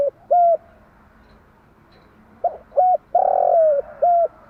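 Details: Morning song of a spotted dove hen, played to stimulate caged doves to coo. It has short soft hoots, then a long grating note that falls away, and a final hoot. Behind the bird is a faint hum.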